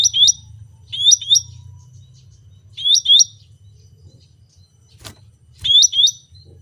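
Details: Cucak rante in lively song, giving high whistled two-part phrases that dip then rise, repeated at irregular gaps of one to three seconds, with a constant low hum and a sharp click.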